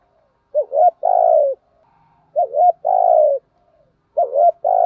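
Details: Spotted dove used as a decoy to lure and excite wild males, in the thổ voice style: a low cooing phrase of two quick rising notes then a long falling coo, repeated three times about every 1.7 seconds.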